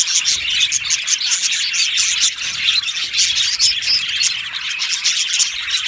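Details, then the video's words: Aviary colony of Australian budgerigars chattering: continuous overlapping high chirps and squeaky twitters from many birds, with short clear whistled notes standing out now and then. "Budgie parrot chirping sounds"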